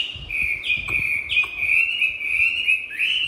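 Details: Tamed Chinese hwamei in a cage in Hanoi, Vietnam, singing a fighting song: a long steady ringing whistle with slight wavers, briefly broken by sharp clicks, ending on a rising note.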